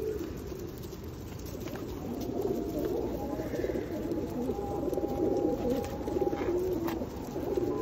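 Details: Feral pigeons being fed at Osu Kannon in rainy weather in 2021, giving low, soft murmuring coos that overlap continuously beneath a steady hiss of falling rain.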